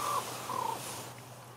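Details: Talking common ravens in Juneau, Alaska give two quick croaking notes, the second slightly falling, with a steady low hum running underneath throughout.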